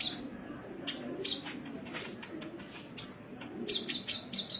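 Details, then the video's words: Sunbird singing on a cage-bird training recording: soft ticking chips build into loud, sharp, high whistled notes, ending with a quick series of five or six evenly spaced descending chirps. "Masteran Suara Burung Kolibri"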